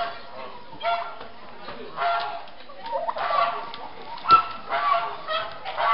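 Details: German black-winged bronze turkey at the Swiss National Poultry Show in Sursee, December 2012: short harmonic yelping clucks repeated irregularly about once a second, over a steady murmur of the exhibition hall and other poultry.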